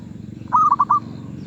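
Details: Zebra dove cooing in the medium-voice (suara sedang) style: one short burst of four quick, clipped, mid-pitched coo notes, the first slightly drawn out, over a steady low rumbling hum.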